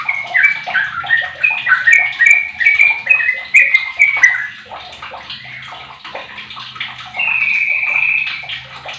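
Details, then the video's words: A 15-year-old sooty-headed bulbul serving as a lure to stimulate other bulbuls gives a fast string of bubbly whistled notes for about five seconds, then a single sustained higher whistle over a low hum. "Trucuk Apapun 100 persen gacor dengan pancingan trucuk umur 15th ni"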